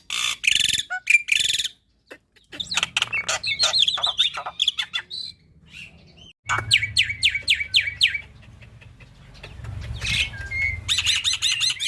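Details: Tutor song of a black-winged myna, packed with tembakan bursts so young birds will quickly imitate it: harsh chattering notes, a short silence, then rapid falling whistles and buzzy trills with a low hum behind.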